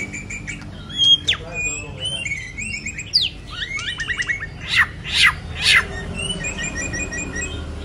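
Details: White-rumped shama in moult, singing varied short whistles and chips with sharp downward-sweeping high notes and scattered twittering phrases, somewhat softer and broken up.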